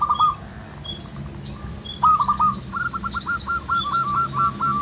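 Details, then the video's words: Local zebra doves in a noisy wild chorus; a short opening phrase, then a long even string of rapid hooked cooing notes, while thin high whistles of other birds sound above. "SUARA BURUNG PERKUTUT MANGGUNG RAMAI DI ALAM"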